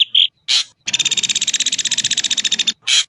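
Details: Ashy drongo giving a brief whistled note and a harsh burst, then a rapid rattle of roughly fifteen pulses per second lasting almost two seconds, ending with another rasping burst.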